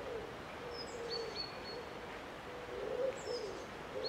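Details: Eurasian collared dove giving soft, low, hollow coos in short phrases, fairly distant and quiet, with a few faint high chirps of small birds in the background.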